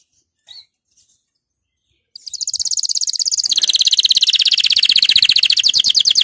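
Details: Canary song for encouraging canaries to sing: after two seconds of near silence, a loud rapid trill starts and runs on steadily, high and buzzy.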